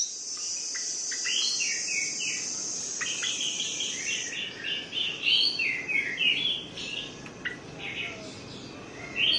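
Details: Orange-headed thrush song used as a lure to get sluggish, reluctant birds singing: a long run of varied whistled, warbling phrases, rising and falling, over a steady high insect-like hiss that fades halfway through.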